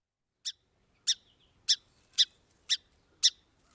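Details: Song sparrow alarm call, agitated compared with its song: sharp, dry, bright, high chip notes, about two per second, harsh, over a quiet background.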